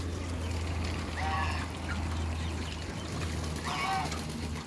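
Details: Muscovy ducks on a farm: two short, harsh, harmonic calls, one at about one second and one near four seconds, over a steady low mechanical hum.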